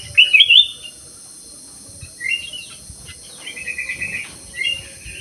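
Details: Black-crested bulbul kept in an aviary opens with a loud, rich warbled phrase, followed by quieter trilling and whistled notes, all above a persistent high-pitched hiss.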